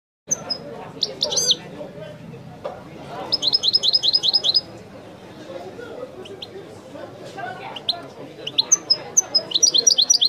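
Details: European goldfinch singing in the authentic Wideni song style: bright, high twittering phrases with rapid runs of repeated notes and thin descending whistles, set against a low murmur of voices in the background.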